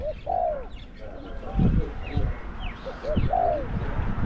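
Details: Caged decoy spotted dove, bird number 07, with a small-to-medium voice, calling against wild doves during decoy trapping. Two mellow, arched coo notes about three seconds apart over steady low rumble and background noise.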